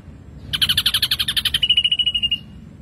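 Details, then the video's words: Ashy drongo in full chattering song: a fast rattling burst of bright pulsed notes, roughly twenty per second, smoothing into a thinner steady whistled trill that fades, with low background hum throughout. "Srigunting Abu Abu Gacor"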